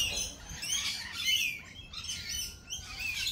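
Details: Several lorikeets calling together: rasping, high screeches that blur into a continuous chattering wash, a few sharper squeals standing out above the din.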